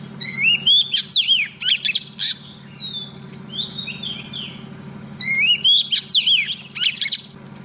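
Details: Singing female Oriental magpie-robin used as a lure to attract a male: two bouts of bright, rapid whistled phrases with clipped chips, softer warbling between them, over a steady low hum.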